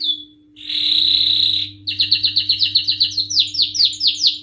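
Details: Male canary singing in high excitement: a long steady whistled tone, then fast rapid trills of repeated descending chirps about four per second, bright and high-pitched, with a faint low hum underneath.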